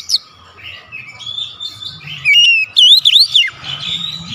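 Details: Oriental magpie-robin song used to provoke a silent bird: soft warbling at first, then a loud cluster of ringing whistled notes with steep rises and falls, over a faint low murmur.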